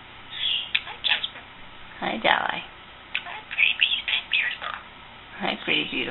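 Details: A pet male budgerigar talks clearly in short, squeaky, high-pitched bursts, copying human phrases such as "hi cutie", "good bird" and "happy bird".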